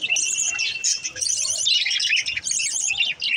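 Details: Green lovebirds, kept as pets, chattering in a dense, continuous stream of high chirps and squeaky twitters with short gaps, several birds overlapping.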